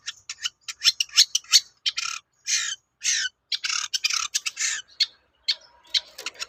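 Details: Long-tailed shrike (cendet) in full, lively song, played as a lure so other shrikes answer and sing. A rapid, uneven run of about twenty harsh, raspy squawks and scratchy chatters, broad and hoarse, packed closely together over six seconds.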